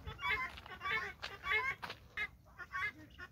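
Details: Harsh, rhythmic cackling from a guineafowl flock following a hen at a farm, each rasping note pulsing roughly every half second before a brief pause and a softer pair of calls.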